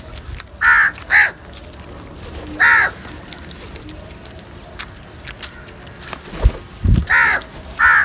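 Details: Crows feeding as a group let out harsh caws in pairs and singles at irregular intervals, with a couple of low thumps in the middle.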